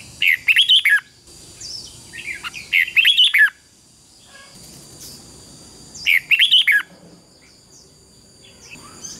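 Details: Red-whiskered bulbul in competitive fighting song: three short bursts of bright, warbling whistled notes, rising then falling, spaced about three seconds apart, with a steady high electronic whine and faint chirps of other birds between phrases.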